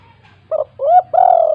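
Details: Spotted dove in lively 'kuk 2' style calling, meant as a lure for reluctant doves: three rising-falling mellow coos, two short then a longer drawn-out final note, in a quiet setting.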